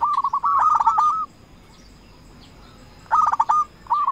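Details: Active local zebra dove, a lure bird calling rivals, gives a rolling run of coos, falls silent nearly two seconds, then starts another sharp, rippling phrase.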